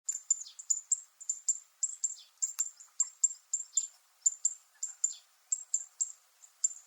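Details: Zitting cisticola, or fan-tailed warbler, on Miyako Island, Japan, giving sharp metallic high notes. They repeat rapidly, about three per second, in a steady unbroken series.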